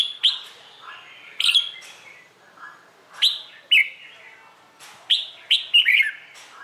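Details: Red-whiskered bulbul in morning contest training song to stimulate newly caught birds: clear, ringing whistled phrases repeated every second or two, rising to a rapid cluster of bright notes near the close.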